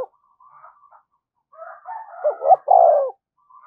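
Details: Lure calling of a spotted dove, thúc gù style: faint cooing from other doves builds into one loud phrase of quick paired notes ending in a long downslurred coo.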